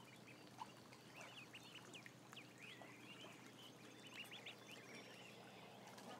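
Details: A great crowd of ducklings, near a thousand, peeping busily in a barn, the thin notes curving up and down and overlapping, with occasional louder single cheeps and a low steady hum.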